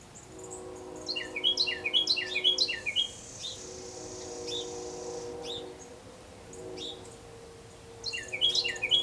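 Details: Carolina wren on an early November morning (10 Nov 2019, 7:51am) in southern Kentucky gives loud, rolling bursts of quick downslurred chirps, two runs several seconds apart, over a steady low hum and faint high hiss.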